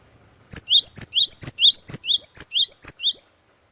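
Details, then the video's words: Great tit (glatik watu) in loud, energetic song: around eight repeated two-note phrases, high piercing note then lower rising whistle, steady and rapid, with nothing else audible. "KICAUAN GLATIK WATU PIKAT GACOR"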